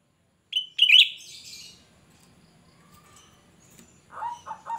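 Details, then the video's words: Cucak rante singing shrilly to lure other birds: a sharp whistled note, then a brighter quavering burst, followed by quiet and a few lower, softer notes near the end. "Cucak Rante gacor ‼️Suara melengking Cocok untuk Pancingan cucak Rante bahan"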